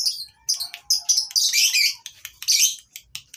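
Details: Breeding-farm lovebirds, recorded for tutoring birds that stopped singing: separate sharp squeaky chirps and short shrill rasping bursts, with a thin lower whistle near the start.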